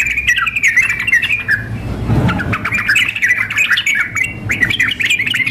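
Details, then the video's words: Female sooty-headed bulbul calling a male, combined with a lively male in contest style: tumbling squeaky chatter with short whistles, briefly overlaid by a low rumbling swell midway. "kombinasi trucuk memanggil dengan trucuk gacor mengamuk suara simulasi kontes"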